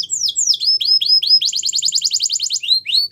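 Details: Belgian canary song used in canary training, made of quick falling whistled notes that give way to a rapid, even trill of repeated high notes, ending in a few slower downslurred whistles; no other sounds.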